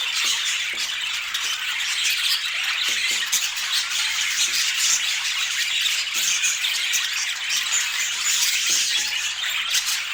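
A budgerigar chatters in a steady stream of high, scratchy warbles and chirps.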